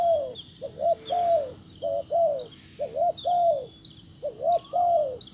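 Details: Decoy spotted dove calling to a wild bird: four or so phrases, each a quick rising-falling double coo followed by a long falling coo, over a constant faint hum and high chirping in the background.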